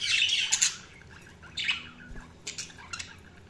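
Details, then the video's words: Budgies give a loud squawking burst at the start, then sparser short chirps and clicks at an uneven pace. "Budgies Sounds| Budgies Chirping sound"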